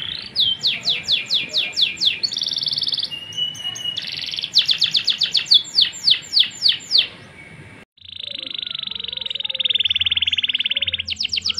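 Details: Canary singing a long song: rapid runs of high, steeply falling whistled notes, then buzzy sustained trills and a final quick ascending series, with a brief pause near the end.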